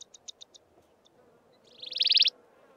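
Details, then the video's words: Maculatus race of wailing cisticola at Mountain Zebra National Park: five sharp high clicks in quick succession, a pause, then a single loud buzzing trill building up and cutting off abruptly. "Wailing cisticola calling (maculatus ssp.)"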